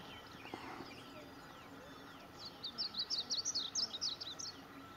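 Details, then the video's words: A Varied Bunting sings a quick, high warbled phrase of about a dozen varied sweet notes lasting two seconds, after a few faint chirps and over a steady background hiss. "Varied Bunting"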